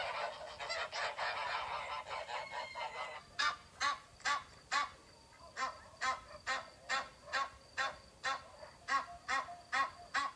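A goose honks repeatedly, loud nasal blasts about every half second, after a brief stretch of mixed busy farmyard sound at the start.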